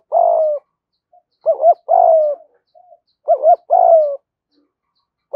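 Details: Spotted doves of both sexes calling to rouse training birds; rhythmic phrases of two quick rounded notes and a long burred falling coo, recurring roughly every two seconds, with faint soft notes between.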